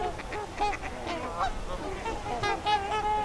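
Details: Trumpeter Swans wintering on open Mississippi River water in Minnesota, mid-January at zero degrees, below a nuclear plant's warm outflow. Many birds give nasal, trumpet-like honks in quick, overlapping succession, some calls rising or bending in pitch.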